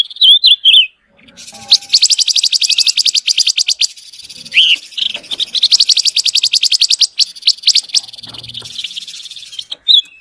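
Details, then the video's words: Caged-bird training recording of rainbow lorikeet: brief high slurred whistles open a long, fast, shrill trill of dense repeated notes lasting several seconds, ending in scattered sharp chips. "Burung Panca Warna Original untuk Pemasteran"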